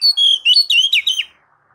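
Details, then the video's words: Oriental magpie-robin (kacer) in ngeplong-style song, meant as a master for kacer: a short, loud phrase of clear whistled notes that slide and dip, ending in a falling slur. "MASTER DASAR KACER NGEPLONG MEMANCING KACER AGAR CEPAT BUNYI GACOR Birds Song Kacer"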